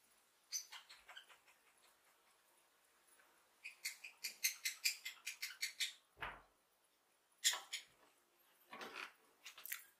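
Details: Lovebirds chirping contentedly: bursts of rapid, squeaky chattering notes come in clusters with quiet gaps, mixed with a few louder shrill chirps and light background hiss.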